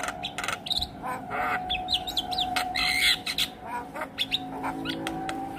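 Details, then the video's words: A Javan myna, responding to a played call of its own species, gives a rapid mix of harsh squawks, chattering notes and short whistles over a steady background hum. "Jalbo Stres Seketika respon dengar panggilan Jalak Kebo"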